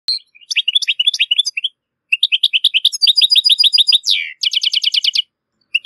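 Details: European goldfinch singing: bright, rapid twittering chirps in fast clusters, a run of evenly repeated tinkling notes, one downward slurred note midway, then another quick rattling series, clean with no other sounds.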